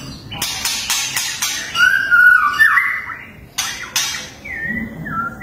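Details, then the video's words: White-rumped shama (murai batu) giving a fierce song burst, or 'tembakan': a loud, sliding whistled phrase in the middle, framed by sharp clicking and rattling bursts, with a brief falling whistle near the end. "MURAI BATU TEMBAKAN TERGANAS"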